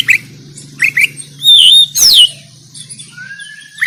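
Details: Oriental magpie-robin fighting song from Banten on an Android phone, used to train birds; quick rising chirps, two loud sweeping whistled notes, then a drawn-out rising whistle over a faint low hum.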